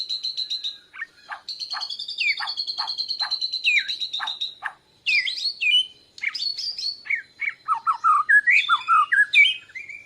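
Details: Young Borneo white-rumped shama practising its song in reply to a lure recording, chest feathers puffed: long steady high whistle pierced by sharp downward ticks, then a tumble of varied whistled and chattering notes.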